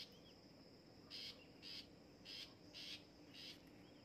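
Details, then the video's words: Long-tailed shrike in song training, delivering five quick grating notes, each a brief harsh rasp, spaced roughly half a second apart, with a soft background hiss. "DI LATIH BIAR BUNYI BURUNG PENTET"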